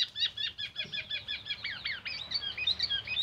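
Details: Rapid, dense run of black-naped oriole song imitating oriental magpie-robin phrases and an ambulance siren; quick repeated chirping notes with bent, slurred tones, packed closely together without pause.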